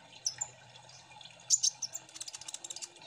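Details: Kolibri ninja sunbirds in an ombyokan chorus, used as lure song so other birds sing quickly. High thin chirps and twitters, louder bursts midway, then a rapid run of short ticking notes, with a faint low hum beneath.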